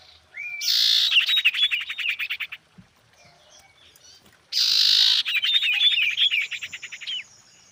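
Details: Female common iora calling to a male: two bouts, each a short rising whistle, then a harsh buzzy burst and a fast, high chattering trill lasting about two seconds.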